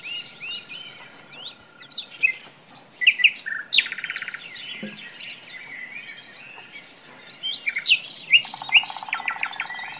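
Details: Common nightingale song in a forest: loud, varied bursts of clicks, buzzy rattles and quick whistled slurs separated by short pauses, with other birds twittering faintly in the background.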